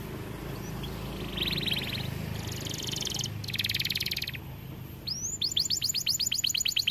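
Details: White AF canary singing energetically: soft buzzy trills in short bursts, then a run of loud, sharply descending sweeping notes near the end, over a low background hum.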